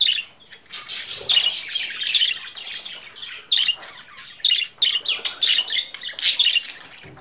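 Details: Budgerigar warbling in a continuous stream of chattering, squeaky notes and short harsh chirps, bursts every fraction of a second with brief pauses, indoors.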